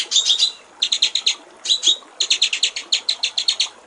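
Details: Master training recording of a white-rumped shama in clear 'gericik air' style: short groups of three to five quick, bright chattering notes, then a steady rapid run of repeated notes.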